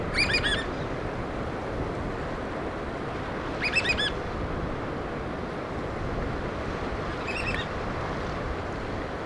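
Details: Black oystercatcher feeding chicks in the Pacific Northwest gives three short bursts of sharp, high piping whistles, each about half a second, spaced three to four seconds apart, over steady surf and wind.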